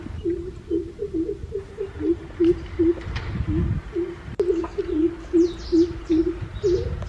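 Greater coucal giving a long series of deep, hollow hoots, about two or three per second, over a low rumble with faint high chirps from other birds.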